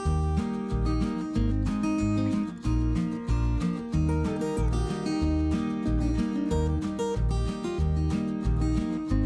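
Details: Strummed acoustic guitar music with a steady rhythm and no animal sounds.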